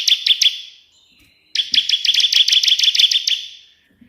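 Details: Bar-winged prinia in full 'tembakan' burst song for tutoring other birds: a few sharp high chips, a quiet gap of about a second, then a dense, rapid stream of bright ticking notes that fades out.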